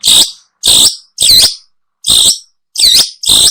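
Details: Long-tailed shrike calls used for luring birds: six loud, harsh, rasping notes, each about a third of a second long, separated by short silent gaps.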